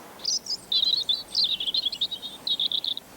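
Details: A European robin in a British garden sings, as it does in most months: a high, sweet, quickly varied warble of thin twittering notes and short trills, with brief pauses between phrases. No other sounds are heard.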